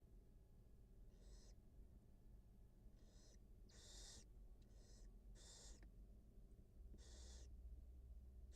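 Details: Wild barn owl mother feeding her two newly hatched nestlings on a live nest camera; about seven harsh, breathy hissing bursts, some faint, at irregular intervals over a steady low electrical hum.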